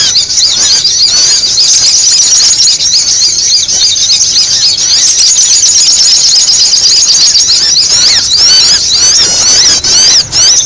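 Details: Sogon giving noisy luring calls: a high, squeaky, continuous chatter of fast twitters, growing busier with sharper squeals toward the end.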